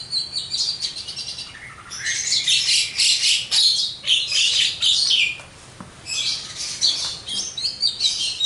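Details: Javan myna, a kept songbird, singing in full varied song: dense bursts of harsh chattering, squawky notes and high whistles, with brief pauses between phrases.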